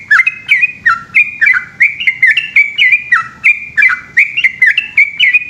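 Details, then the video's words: Yellow-vented bulbul in full, long rolling ropel song at night: rapid bubbly chattering phrases of slurred, dropping notes, repeated about three times a second without pause. "burung trucukan gacor ropel panjang dimalam hari"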